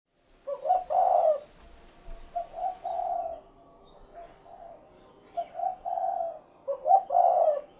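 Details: Spotted dove (derkuku) giving its rhythmic cooing phrase, rendered locally as "cukurukuk kuk geruk": soft, low hooted notes in short groups, a stressed drawn-out coo, then a pause and repeated phrases across the stretch; faint background rustle.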